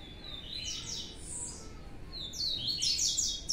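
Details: Two young Blue-black Grassquits, separated from others and kept in captivity, give high thin chirps and short buzzy slurred notes in scattered bursts, strongest near the end, over faint low background hum.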